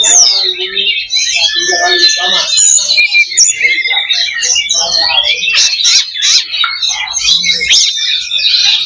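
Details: Oriental magpie-robins singing in a crowded fighting simulation for competition birds: varied clear whistles, downslurred notes and scratchy chatter, densely layered and continuous.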